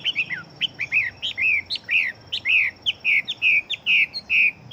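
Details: Chinese hwamei fighting bird singing rapidly: a run of loud, clear whistled notes, many dropping or arching in pitch, repeated about twice a second with a slightly uneven rhythm.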